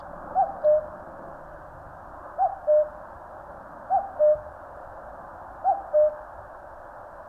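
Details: Common cuckoo calling in the mountains of Korea: a clear two-note cuck-oo, the first note higher and the second lower and held, given four times at roughly one-and-a-half-second intervals over a quiet background.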